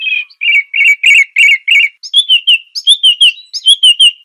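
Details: Song of a song thrush: a rich, slightly burry phrase repeated six times in quick rhythm, then a higher, clearer slurred note given over and over, each repeated phrase sharp and loud.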